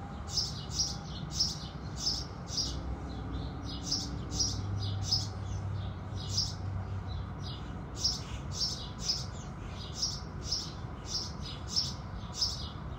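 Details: Dawn chirping of house sparrows, a long series of crisp, high, evenly spaced chip notes with a short gap near the middle, over a low continuous drone.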